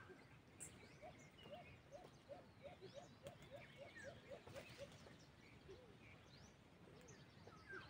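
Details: Wild white-eared brown dove (alimokon) near a cage trap: a steady series of about a dozen low, hollow hoots, roughly three per second, over a dense backdrop of forest birds and insects.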